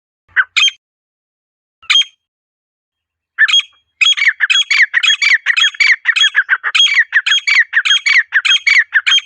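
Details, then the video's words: Wild female partridge giving its natural call: a few separate harsh notes, then a steady run of loud, grating calls repeated about twice a second. No other sounds. "مادہ تیتر کی قدرتی پکار"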